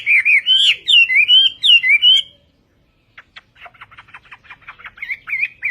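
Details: Vietnamese-style Chinese hwamei song (Họa mi Tây): a rapid burst of loud, wavering whistles for about two seconds, then silence. Quiet, rapid ticking notes follow, leading into soft, warbled whistles.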